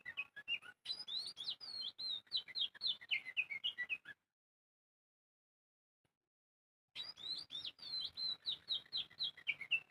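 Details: Bird chirping in two long bursts of quick, high tweets and short whistled notes that dip and rise. A silent gap of almost three seconds separates the bursts.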